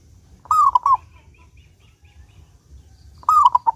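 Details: Local zebra dove in full, clear song, used to coax other doves into singing. Two bright, rolling coos, each a gliding note broken into quick stuttered pulses, come almost three seconds apart. Soft, faint chirps fall between them.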